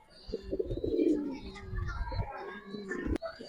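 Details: Giribaz pigeons in a fancier's collection give low, rolling coos in bursts during the first half, with a voice talking faintly and a sharp knock near the end.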